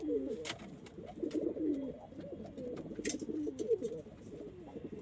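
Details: Kept pigeons, described as local, Indian, Chinese and homing birds, cooing steadily in low, throaty, wavering phrases that run almost without pause, with a few sharp clicks.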